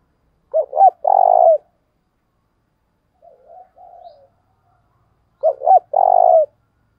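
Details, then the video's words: Decoy spotted dove giving the thúc bổi calling used to attract wild doves. The phrase of two brief hoots and a long purring coo is heard twice, about five seconds apart, with quieter muttered coos in between. "tiếng cu mồi thúc bổi// tiếng chim cu gáy gọi mồi"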